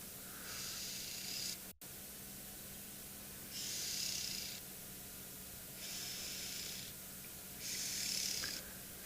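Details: A Red-billed Oxpecker on an afternoon safari on 3 September 2021 at a private game reserve in dry South African bush, with kudu near water, gives harsh, hissing bursts about every two seconds. Each burst lasts about a second, some with a thin high twitter.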